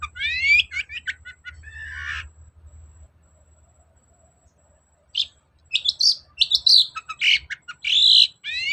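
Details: Long-tailed shrike singing as a lure: rising whistled and scratchy phrases, a pause of about two seconds, then loud varied bursts of chattering and squealing notes.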